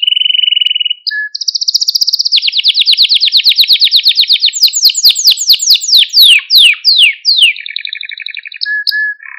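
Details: Canary song used to train and excite young canaries: rapid trilled tours at high pitch, a long fast buzzy roll, then clear descending sweeps repeated in quick series, ending with short whistled notes.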